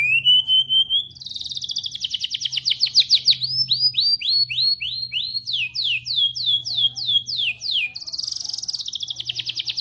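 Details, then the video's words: Rambetuk laut singing with a canary-style song. It opens on a rising whistle, then gives a long fast trill of sharp downslurred notes, several per second. The trill slows into distinct descending strokes and ends in a buzzy high rattle over a faint low hum. "rambetuk laut isian kenari"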